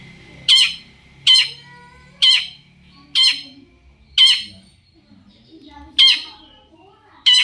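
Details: Long-tailed shrike calling to draw replies from other shrikes: a series of grating, buzzy squawks at irregular intervals of about a second, with a short gap midway and faint low noise behind.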